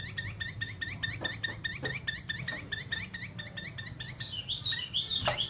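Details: Caged fighting-type Chinese hwamei repeats a rapid, even series of upslurred notes, then ends with a longer, clear whistled phrase over faint background hum.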